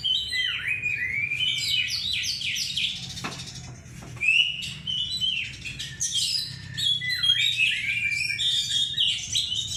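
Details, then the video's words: Lure song of an Oriental magpie-robin: continuous, varied whistled phrases with swooping falling and rising slides and quick chirps, tightly packed with hardly a gap, plus a soft low hum underneath. "burung Kacer NEW ROMEO power tembus II pancingan Kacer mewah"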